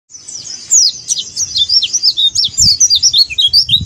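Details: Oriental white-eye singing in the 'buka paruh' style: a fast, continuous run of thin, high chirps and twisting whistled notes, densely packed and tumbling without pause, with faint low thumps underneath.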